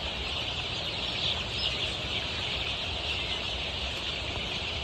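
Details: Golden Misri chicks, 23 days old, kept on a Pakistani poultry farm, peep together in a thick, continuous high-pitched wash, over a constant low hum.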